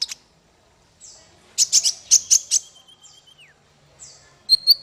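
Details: Bird song used as masteran, a training recording for small fighter songbirds: high sharp chirps, a quick burst of five loud notes, a long thin whistle falling at the end, then a downslurred note and final chips.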